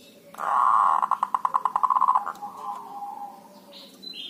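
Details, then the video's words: Local Javanese zebra dove kerot call used as a lure: a loud grating buzzy note breaking into a fast run of about fifteen clipped pulses, fading into a drawn-out low tone, a brief high whistle at the end. "perkutut dhuduk dan kerot"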